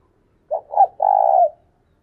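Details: Spotted dove used as a decoy bird, giving a thúc sung call: two quick soft low coos, then a drawn-out, even, vibrating coo that fades at the end, with no other sounds around.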